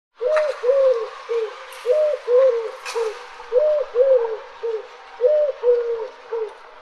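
A dove coos in soft, low three-note phrases, each arched note gently falling, repeated about every one and a half seconds over a faint hiss.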